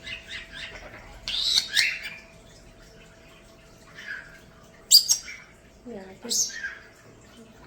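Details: Two captive pet starlings in a bird room chatter in scratchy, high bursts of clicks, squawks and whistles, including a new whistle, with a few rising, speech-like phrases; a faint steady hum runs underneath.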